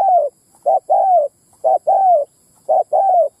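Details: Spotted dove call played as a lure for wild males and females in Vietnam: three steady phrases of a brief low note and a drawn-out, gently falling coo, evenly spaced in a quiet background.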